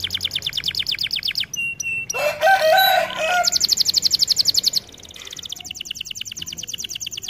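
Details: Canary song for training: fast rattling trills at the start, then a harsh broadband burst and chattering notes, followed by another quick trill and a softer rolling passage.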